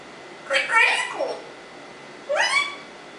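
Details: Pet African Congo grey parrot talking indoors: two voiced, speech-like phrases with gliding, harmonic-rich syllables, the second rising sharply then levelling, separated by a pause in a quiet room.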